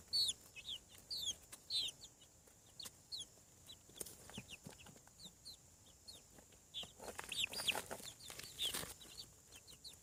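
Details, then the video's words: Faint high peeps of hatching farm chicks, short downslurred chirps repeated irregularly, partly masked by rustling and scraping noise toward the end. "Chick sounds. Hatching From Egg"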